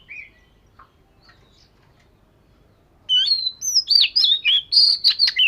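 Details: Oriental magpie-robin of the 'vẩy cá' type in daily voice training: a few faint notes, near silence, then a loud, fast string of bright whistles and chirps, each lasting a fraction of a second.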